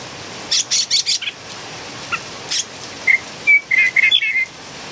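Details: Philippine bulbul, locally called pulanga, described as a noisy singing bird: a quick run of harsh, buzzy chirps, then a short series of clear, thin whistled notes with more scratchy notes mixed in, over steady background hiss.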